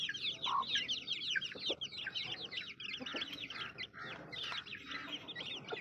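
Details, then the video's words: A busy chorus of baby chicks chirping, rapid thin peeps from numerous birds, with one or two lower cheeps standing out. "Baby Chicks Chirping Sounds"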